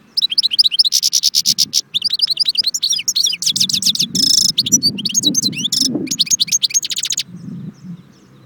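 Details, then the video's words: European goldfinch singing near Constantine, Jbel Wahch: a rapid, continuous run of high twittering notes and liquid trills broken by short buzzy rattles, with a low murmur of background noise. "chardon chant Constantine jbel wahch"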